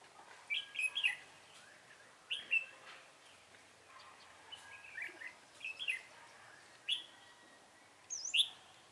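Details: Red-whiskered bulbul being trapped with a decoy bird: irregular bursts of bright, slurred chirps and short whistled phrases, roughly six phrases scattered over the stretch against a faint hiss.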